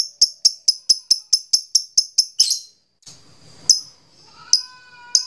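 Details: Lovebird in ngekek chatter, meant to rouse other lovebirds: a quick train of sharp high ticks, then a pause, scattered single notes and a faint steady tone in the background.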